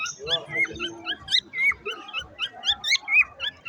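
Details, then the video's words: Singing parrot giving a fast run of looping whistles and bent high notes, some sliding up and down, mixed with lower warbling chatter, about four notes each second. "A strange bird, a parrot singing, a strange sound"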